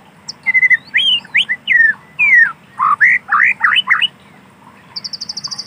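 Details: White-rumped shama in wild natural forest singing loud, separate whistled notes, many swooping down or up. A short fast trill of high even notes closes the sequence.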